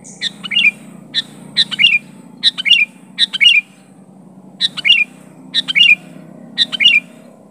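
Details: Sooty-headed bulbul challenging a rival with rapid, evenly repeated phrases of bright, slurred chirps, each a short two-part note cluster, about eight in a row with one brief pause, over a steady low background hum.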